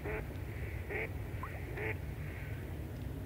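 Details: Goosander (Mergus merganser) call: three short, harsh, nasal croaks about a second apart, over a steady low rumble of wind or water.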